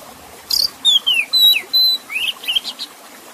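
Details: Oriental magpie-robin (kacer) singing a varied phrase: a high buzzy note, then clear whistles that fall, hold steady or slide, ending with quicker rising chirps, over a quiet water background; played to make stressed birds sing.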